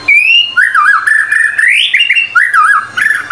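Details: White-rumped shama singing energetically, as tutor material: clear whistled phrases, a rising note followed by looping, warbling whistles that repeat in short bursts, with a faint steady low hum behind.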